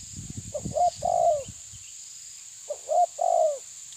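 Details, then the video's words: Challenging a rival, a tabir-type spotted dove coos twice: soft lead note, brief accented note, then a drawn-out descending coo, after opening low rumbling thuds, with an unbroken high-pitched buzz in the background. "Terkukur menekan lawan bikin emosi ~TERKUKUR TABIR"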